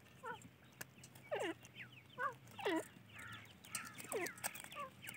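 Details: Teetar chicks giving loud, steeply falling whistled peeps in quick bursts, some doubled or tripled, with softer overlapping chirps and a low hum beneath.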